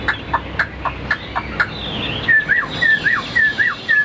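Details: Caged Chinese hwamei, sold as tame and a good singer: soft evenly spaced short notes lead into a series of clear whistles, each sliding down then flicking up, repeated about every half second.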